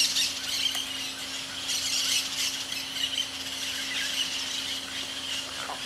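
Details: A free-flying pair of hyacinth macaws at Porto Jofre in the Pantanal, Brazil, gives harsh, raucous squawks at irregular intervals, over a steady low mechanical hum and a bright insect-like hiss.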